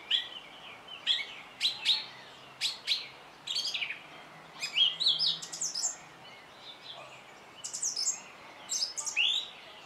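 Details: A song thrush sings a varied series of loud, abrupt high phrases: clicking notes, whistles and chattering bursts, each phrase short and several repeated, spread across about ten seconds.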